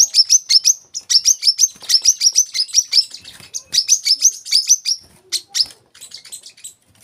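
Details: Olive-backed sunbird, locally kolibri kelapa or manggar, singing rapid bursts of high, thin, sharp notes strung into fast trilled phrases, with brief pauses between phrases and a looser, scattered ending.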